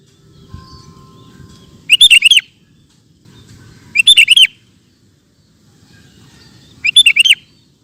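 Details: Sooty-headed bulbul, a vigorous singer recorded to train caged birds, gives three short bubbly whistled phrases spaced roughly two to three seconds apart, with a soft low rumble in the pauses.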